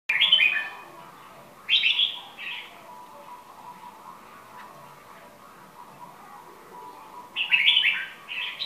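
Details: Captive red-whiskered bulbul (Pycnonotus jocosus) from Tây Trà, moulting about a month after being acquired, gives three short, bright, bubbly phrases spaced several seconds apart over a steady low hum.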